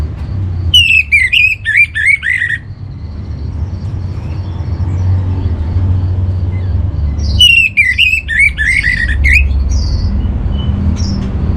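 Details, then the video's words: Orange-headed thrush delivering a master song used to settle home-kept birds: two separated phrases of rapid, rich whistled warbling, each about two seconds, with quiet intervals of low mechanical hum and a few faint chirps. "Menstabilkan Burung ANIS MERAH Dirumah Baik EMOSI & Birahi dengan Mendengarkan Kicauan Masteran ini"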